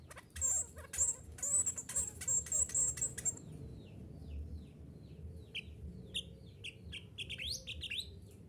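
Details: Mantenan gunung song on a recording meant to get caged birds singing readily: a dense burst of high, thin whistled and trilled notes for about three seconds, then scattered short chirps over low background hum.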